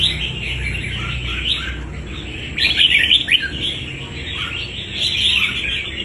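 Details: Red-whiskered bulbul, a wild-caught fighter, with steady twittering chatter broken by a louder cluster of sharp whistled notes midway, then continuing quick chirps.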